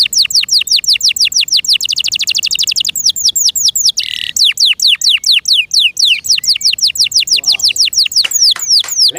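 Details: Kept canary, a small bird with loud chirping, singing quickly repeated downswept notes, a fast rolling trill, a brief buzzy burst, then more steeply falling whistled notes.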